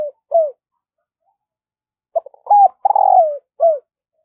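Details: Decoy spotted dove cooing in the morning to call in wild doves. Soft, hollow coo notes, then after a pause of almost two seconds a fuller phrase of several coos with one long falling note.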